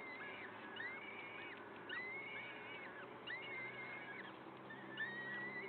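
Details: Peregrine falcon calling at a nest site in Wakefield, early morning of 5 May 2021: repeated thin whistled notes that rise then hold steady, roughly once a second, with faint overlapping calls and constant background hiss.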